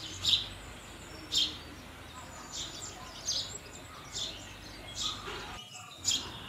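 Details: House sparrow giving sharp single chirps about once a second, spaced fairly evenly, with softer chirps from other birds and a low background hum.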